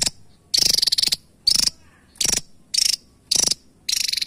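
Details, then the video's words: Javan tesia singing: about seven loud, high, buzzy rattled bursts, roughly one every half second, each made of fast pulsed notes, some showing a thin whistled overtone. "Tesia Jawa Burung Unik ‼️ Burung Kecil Suara Pedas Istimewa"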